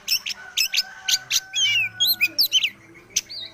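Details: Young Oriental magpie-robin moulting out of spotted juvenile plumage gives quick varied song phrases: sharp chips, slurred whistles and brief chattering notes over a faint steady low drone.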